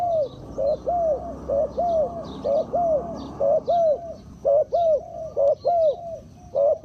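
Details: Spotted dove serving as a decoy to draw in wild birds gives a steady series of paired coos, a quick note then a drawn-out bowed one. Later phrases sharpen with a clipped upward start, over faint distant bird chirps.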